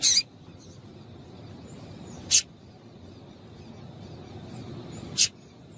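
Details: Female Double-collared seedeater calling to excite the male and get him singing: three brief, sharp, high chips spaced about two and a half seconds apart over a faint low background hum.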